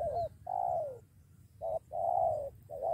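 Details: A spotted dove lured by a decoy and ready to fight. It gives loud, full coos, a short note and then a longer falling one, followed by a brief note, a sustained note and another starting.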